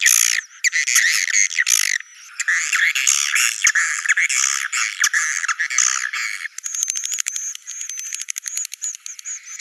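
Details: Swiftlet 'Naga Merah' nest-attracting call: busy overlapping high chirps and twitters for six seconds, then shifting to a fast buzzy series of clicking pulses under a thin steady whistle.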